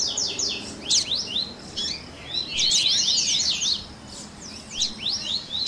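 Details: Double-collared seedeaters in a tui tui style baderna, a dense chorus for training captive birds; high, fast whistled notes sliding up and down in quick bursts, with short pauses between clusters.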